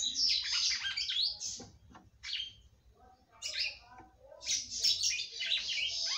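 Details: Female red-cowled cardinal kept by a breeder, singing to excite her male; rapid warbled, scratchy phrases come in three bursts separated by short quieter gaps with soft clicks.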